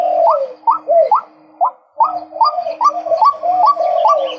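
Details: Repeated sharply rising, hooked notes from a male white-breasted waterhen, roughly two to three each second, with a short lull after the opening notes before the rhythmic series picks up again.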